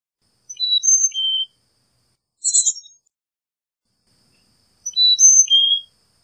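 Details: Carolina chickadee singing clear whistled phrases of about four notes alternating high and lower, with a short higher burst between two full phrases.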